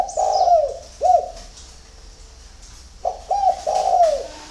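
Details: Spotted dove at a breeding farm near Hanoi, Vietnam, singing in the early morning: low, bubbling coos in two bursts, the second made of three quick notes rising into a longer rolling coo, with faint twittering behind.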